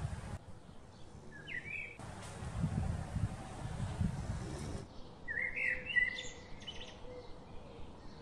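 A Shikra gives two brief bursts of sharp, slightly harsh, high-pitched notes a few seconds apart, over a steady rumble of wind-like noise.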